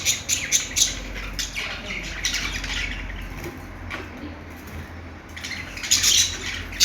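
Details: Budgie chatter with sharp, clicky chirps at the start and end and a quieter, hissy warbling stretch in the middle, over a steady low hum.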